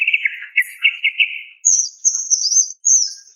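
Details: Female greater green leafbird calling to attract a male: a low warbling trill gives way to thin, high, drawn-out whistles, with nothing else audible.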